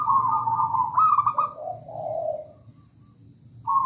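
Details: Local zebra dove in active song: a sustained tremulous high trill slides down into softer, lower cooing notes, then falls silent before a fresh trill starts.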